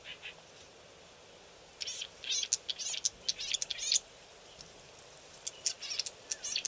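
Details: Several young Green-backed camaropteras, apparently learning to vocalise, hidden in thick bush on a river bank: thin, high, irregular chips and short twittering notes, clustered in uneven bursts with brief gaps.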